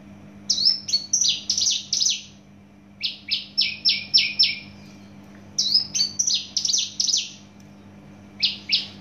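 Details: Javan bush lark from Java, noted for loud, fast singing: bursts of four to six rapid, buzzy, downslurred notes, high-pitched and evenly spaced, separated by short pauses, over a faint steady low hum.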